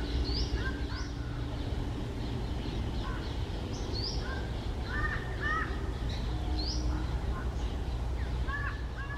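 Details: A single red-breasted parakeet (Psittacula alexandri), resting on a treetop on a lazy early-summer afternoon, gives short, harsh squawking notes in scattered bursts, some doubled, over a steady low rumble of background noise.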